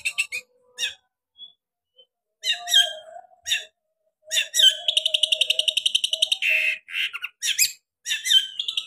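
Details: Long-tailed shrike performing sharp 'tembakan' variations: scattered chips and short whistles, then a long fast buzzy trill, a harsh rasp and more squeaky phrases.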